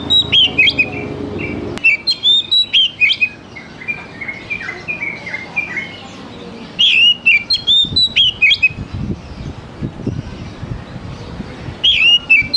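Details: Oriental magpie-robin lure and tutor song for young wild-caught birds, to make them sing and chatter sooner. Repeated bursts of melodious whistles and warbles, some sweeping down and some rising, come in clusters with quieter pauses between.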